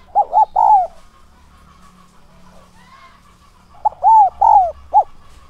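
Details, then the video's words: Spotted dove used as a lure for wild doves, 'son' voice with 'thúc' and 'gáy gọi' calls. Two phrases of bouncing arched coos with a longer falling note, a faint low hum beneath and a gap of quiet between. "Chim cu gáy mồi giọng SON chuẩn THÚC và GÁY GỌI kích bổi nhanh nổi hiệu quả"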